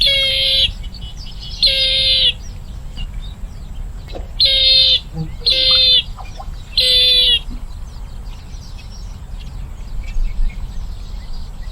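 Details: Bronze-winged jacana calling: five loud, harsh buzzy bursts, each about half a second to a second long with a low steady tone beneath, spaced irregularly, with constant hiss in between.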